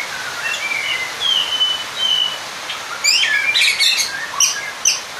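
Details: Oriental magpie-robin calling a rival: soft drawn-out whistles at first, then a louder cluster of sharp, high ticking notes and quick slurs in the second half.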